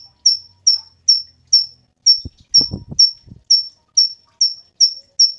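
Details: Cungkok singing a steady series of sharp, high whistled notes, roughly two per second, with brief low knocking sounds in the middle; recording meant as master song for training cage songbirds.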